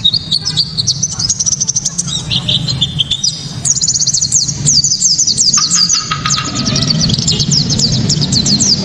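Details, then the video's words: Japanese white-eye delivering a loud, sharp, clear 'tembakan' song used to lure other white-eyes into singing: rapid high chattering trills of quick slurred notes, broken by short pauses, over a steady low hum. "Pleci kaca mata‼️tembakan"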